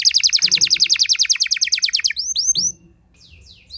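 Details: Canary song used as a lure to provoke other canaries into singing: a fast trill of rapid repeated high notes for two seconds, then a few sweeping upslurred whistles, ending in quiet.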